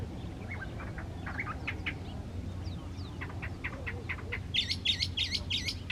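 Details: Wild house wren in the Panul forest on the hills at the foot of Santiago, Chile, in winter: scattered sharp chirps building to a loud run of bright, rapidly repeated notes near the end, with faint low rumble behind.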